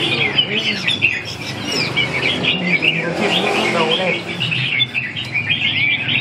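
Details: Red-whiskered bulbul delivers lively chattering, warbled phrases, with lower-pitched voices or other background sounds running underneath for much of the recording.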